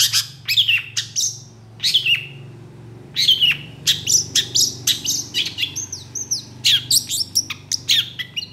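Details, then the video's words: Long-tailed shrike singing a varied, imitation-filled song, aroused by another shrike: scratchy downslurred calls separated by pauses, then denser chattering with thin high whistles and sharp ticks near the end. "PENTET GACOR EMOSI CEPAT DI RESPON CENDET LAIN, MASTERAN CENDET FULL ISIAN"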